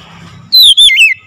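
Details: Oriental magpie-robin calling loudly: after a quiet start, a strong, clear whistled phrase slides down from high to mid pitch, broken by a brief gap, then twists through a warbled note before fading.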